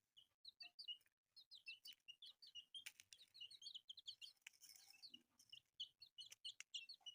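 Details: Newly hatched chicks, several together, giving a dense, continuous chorus of high, thin peeps, short upslurred and downslurred chirps overlapping rapidly with barely a pause, plus faint low rustling beneath.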